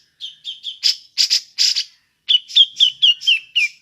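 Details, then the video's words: Cucak jenggot (grey-cheeked bulbul) in ngepik style, used to lure other birds: short whistled notes, three loud rasping bursts, a pause, then six quick descending whistled slurs. "Burung cucak jenggot ngepik cocok untuk pancingan"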